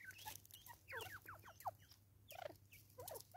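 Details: Raucous Natal spurfowl calling in South Africa: quick, rasping descending notes in irregular clusters, roughly 86 a minute, with one louder note in the middle and a soft hum behind.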